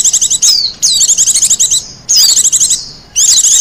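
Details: Japanese white-eye in the wild, recorded for luring and song training, pours out fast high chattering trills mixed with sliding whistled notes in three dense bursts.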